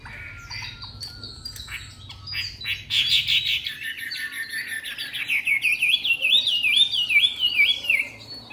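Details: Young caged Chinese hwamei, three months old, newly arrived in Hanoi and singing persistently; a rich loud phrase of rapid buzzy notes turns into a long run of looping, wavering whistles that slowly fall in pitch.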